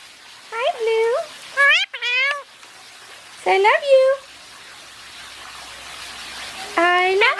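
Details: Basking Indian ringneck parakeet talking in a small indoor room, uttering several brief harmonic phrases with wavering, bending pitch in separated bursts, quiet pauses between, including a longer gap before a final rising phrase.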